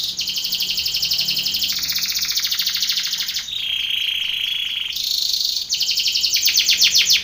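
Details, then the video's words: Belgian canary singing a contest training song: high, fast rattling trills shift into a lower rolling tour, then a sustained bright buzzy note, ending with quick rapid-fire pulsed phrases, loud and continuous throughout. "canary training song for contest / canto Canário belga cantando"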